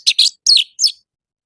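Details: Brief morning phrase from an orange-headed thrush, a lure for captive birds: four rapid, rough, high chirps with downward slurs, then silence.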